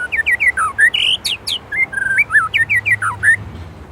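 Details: Loud, rich whistled song of a white-rumped shama from Indonesia, with fast looping and swooping notes, sudden upward slides, and twisting phrases packed closely together over four seconds.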